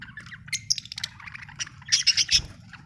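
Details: Happy budgerigar chirping and singing: rapid scratchy chatter of short notes, ending in a louder cluster of four quick bright chirps, low hum underneath.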